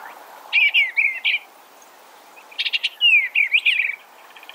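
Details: Eastern Bluebird singing two short warbled phrases, each about a second long, with soft gliding, slurred notes and brief sharp chips at the start, separated by a quiet pause.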